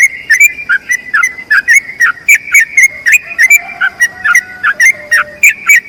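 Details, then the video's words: Yellow-vented bulbul delivering a long-trill ropel panjang song for tutoring other birds: rapid, repeated whistled notes sweeping down then up, with a soft lower whistle drifting in around the middle. "BURUNG TRUCUKAN ROPEL PANJANG UNTUK MASTERAN TRUCUKAN LAIN"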